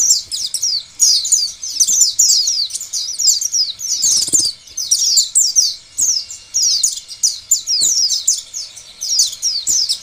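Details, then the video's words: An oriental white-eye, used as a lure to make other white-eyes call and sing, pours out a fast, high, tinkling twitter of thin slurred notes in almost unbroken bursts, with a brief rustle partway through. "Biasanya pleci lain akan bunyi dan gacor bila mendengar pancingan pleci seperti ini."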